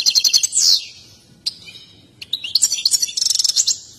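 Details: European goldfinch, excited and dancing, opens with quick high trilled notes and a buzzy slur, falls briefly quiet with a single sharp note, then resumes with bright twittering and a fast trill.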